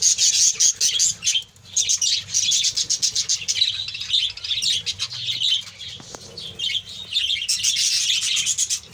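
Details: Captive colony of budgerigars: dense chorus of chattering, chirping and squawking birds, rhythmic pulses of sound with a slightly quieter stretch mid-way.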